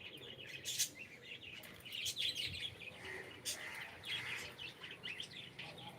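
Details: Pet cockatiel said to be saying good morning; high, chirpy chatter with short squeaky notes and a few sharp clicks, uneven and fairly soft, over a quiet room hum.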